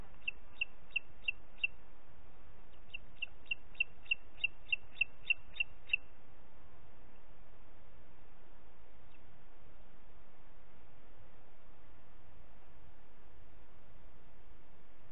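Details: Two runs of shrill, evenly spaced high notes, five then about ten, from a booted eagle in Parc Natural dels Ports on 30 June 2021 at 11:01, followed by nearly ten seconds of quiet background hiss.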